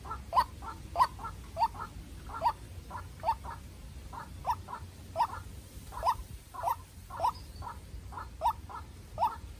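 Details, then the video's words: A young decoy White-breasted waterhen fights a wild one in a heated call duel. Sharp, hollow notes repeat roughly every half second to second, some doubled with a quieter echoing note, over faint low noise. "Quốc Mồi Tơ Ra Trận Gặp Bổi Rừng Đấu Cực Căng"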